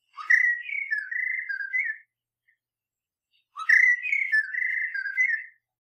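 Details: Chorister robin-chat (Cossypha dichroa), a Southern African bird, calls: two rich, whistled phrases about two seconds long, each rising then wavering at a mid pitch, separated by a short pause.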